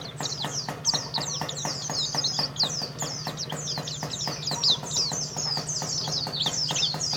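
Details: White-eye contest champion from Karawang, Indonesia, delivering continuous quick, high, chirping song with swooping notes, accompanied by steady rhythmic clicks and a low hum.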